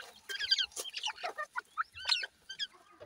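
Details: Grey francolin chicks fighting; short chirpy calls in quick bursts with downward slurred notes, broken by sharp clicking scuffle sounds, most calls under half a second long.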